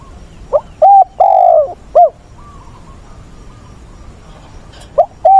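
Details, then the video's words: Captive decoy spotted dove in the tense wild-caught voice (giọng bổi ức chế), dated 20/8; one complete four-note coo phrase, a faint soft note, then the next phrase beginning with a short note and level coo. "Chim cu mồi giọng bổi ức chế"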